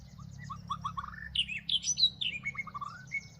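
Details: White-rumped shama from Northwest Vietnam, caught while two birds fight each other at a trap. It gives a rich, varied run of clear whistled phrases: low rising notes first, then louder, higher swooping whistles and falling slurs, with faint low hum behind.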